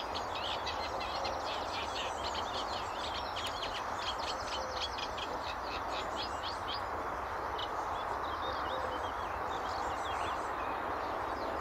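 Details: Early morning in May 2011 at Stotfold Mill Nature Reserve, UK, a reed warbler sings from the far riverbank, giving a distant, rapid, chattering run of harsh repeated notes that fades after several seconds amid constant hiss.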